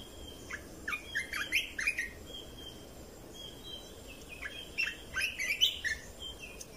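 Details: Red-whiskered bulbul lure song, played to train chicks and rouse birds: two lively phrases of fast, warbled, chirpy notes several seconds apart, each holding around six to eight notes, with light background hiss.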